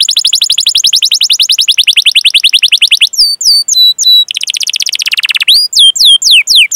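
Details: Canary song used to train young and silent canaries: extended fast trill of rising notes, then sharp hooked whistles, another buzzy trill and further looping whistled notes.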